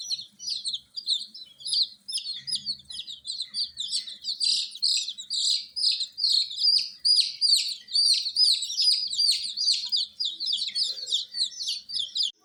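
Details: Colour-dyed chicks, young domestic chickens under provided heat, keep up a steady, rapid stream of high, sharp peeps, roughly two or more each second, layered from many birds.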